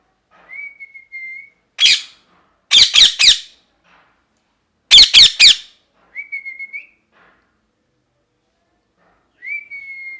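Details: Parrot chirping, with thin level whistles that rise slightly at the end, separated by tight clusters of two to four loud, harsh, clipped chirps, with silent gaps between phrases.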